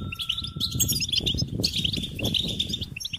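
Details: Goldfinch song: a quick, busy stream of high twittered notes and short trills packed closely together, with a brief steady whistle-like tone early on and low background rumble underneath.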